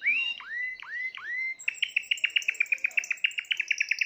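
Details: Timbrado canary, the seventh bird of the keeper's 2020 birds, singing three deep swooping whistles that rise sharply, followed by a fast even trill of about twenty clipped bright notes.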